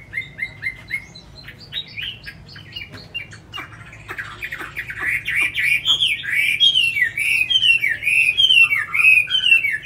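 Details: Tame caged Chinese hwamei from Hanoi, Vietnam, singing: a run of short descending whistled notes repeated about twice a second, then a loud, rich stream of varied slurred and warbled phrases climbing higher, with a faint low indoor hum.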